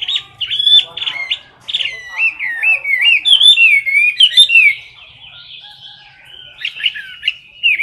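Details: Chinese hwamei in a cage belting out fighting song right beside the recorder: rapid, tumbling whistled phrases that swoop and warble, then a quieter stretch before the loud whistling resumes.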